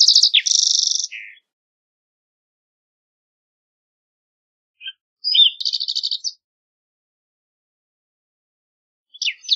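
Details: Green-tailed towhee phrases separated by long pauses: a buzzy trill with a falling tail, then a few soft notes leading into another dry buzzing trill, and the start of a third phrase at the close.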